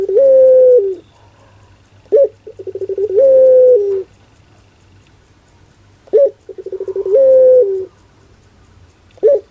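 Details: Barbary dove, pelung-style puter coo: a sharp short note, a quick run of stuttering pulses, then a long drawn-out level coo that drops at the end, repeated about every three seconds; steady low hum behind.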